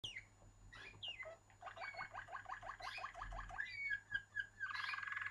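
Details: Waterslager canary singing softly: a run of rapid, evenly pulsed rolling notes, then a brighter ending with some higher trills, against a low steady hum.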